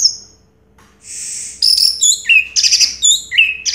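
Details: Orange-headed thrush, first-place winner in 2022, opens with a thin whistle and a soft buzz, then pours out quick alternating high and lower whistled notes in a lively chattering phrase.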